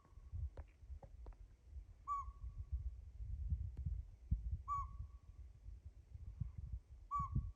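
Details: An unseen Northern Pygmy-Owl calls in the morning near a camp in far Northern California. It gives three clear, level, hollow toots, spaced about two and a half seconds apart, over low rumbling wind and a few faint clicks.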